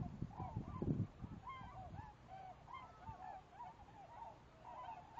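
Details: On 19 March 2011, a flock of migrating tundra swans in a field near Jarvis, Ontario, takes off and circles, giving many overlapping high, hooting, bugled calls, with low wind rumble and handling noise at the start.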